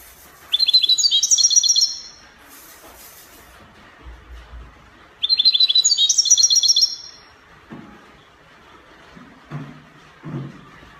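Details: European goldfinch performing Spanish copia song, Morocco: two quick phrases of sharp, stepped, twittering notes climbing in pitch, separated by a pause, followed by a few soft low knocks and rustles.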